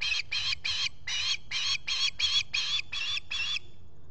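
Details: Osprey at its nest at Salt Point in the Finger Lakes, USA, filmed by a solar nest camera on a July 2021 morning as a visitor arrives. About ten loud, harsh, chirping notes follow one another at roughly three per second, then stop.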